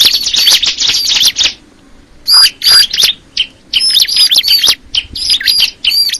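A Bar-winged Prinia pours out fast, high, sharp chirps in dense bursts, with a brief pause before the bright chattering phrases resume.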